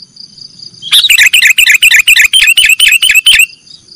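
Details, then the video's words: Nggaruda-style song of a sooty-headed bulbul, recorded for training caged birds: a continuous run of rapid, evenly spaced bright chirping notes, about two a second, bubbling and slightly rising, then stopping abruptly; a thin steady whine persists. "Masteran burung kutilang nggaruda"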